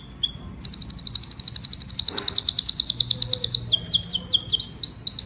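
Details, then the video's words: Canary calling its flock with song: a few short chirps, then a long, dense, fast trill of rolling notes that changes pitch partway through and runs to the end. "Tiếng chim Hoàng Yến hót gọi đàn"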